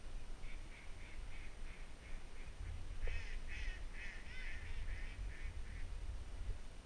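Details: Mallards, Black Ducks, teal and Wood Ducks at first light in North Carolina give quick runs of short nasal quacks, several per second, in two bursts, the second louder, over a steady low rumble of wind or distant noise.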